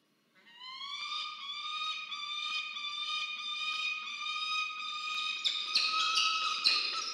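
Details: Peregrine falcon pair at a nest box in Orange, New South Wales, Australia, on 27 August 2023, during incubation as the male delivers food. A drawn-out, slightly rising, nasal whining wail holds for about six seconds and grows harsher toward the end.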